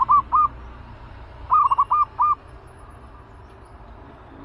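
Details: Caged, aggressive zebra dove prepared for trapping work, calling in short clusters of soft, rolling coo notes, a pair, then a tight run of four or five, with another beginning at the end.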